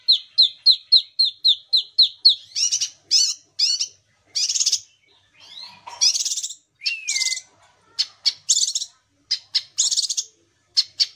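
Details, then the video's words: Kinoi in full song, a recording meant to prompt silent kinoi into singing: a quick run of about a dozen high downslurred whistled notes, then varied buzzy, scratchy phrases and a falling whistle, with brief pauses between bursts. "KINOI GACOR - SUARA ASLI KINOI"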